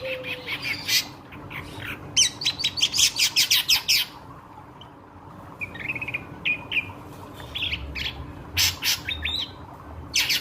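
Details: Ashy drongo singing a lively song used to lure and stir up nearby birds: bursts of harsh chattering notes alternate with short clear whistles, over a steady low hum.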